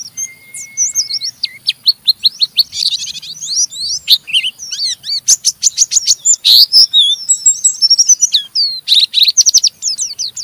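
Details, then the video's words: Oriental white-eye, kept in a cage, delivering a rough chattering ngeriwik song to stimulate other white-eyes; a long thin whistle opens, then dense twitters, clicking bursts and fast sweeping high notes. "Burung Pleci Ngeriwik Gacor merangsang Pleci Bahan ikut Ngeriwik Sampai Buka paruh"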